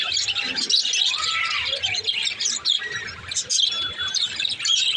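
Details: Green lovebird, male, chirping in a busy chorus of high, rapid twitters and short whistled notes, bursts overlapping throughout with a soft low background hum.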